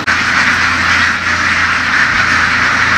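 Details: Herded laying ducks in the fields of western Vietnam, a big flock raised by local farmers; thick overlapping quacking throughout, over a steady low engine hum.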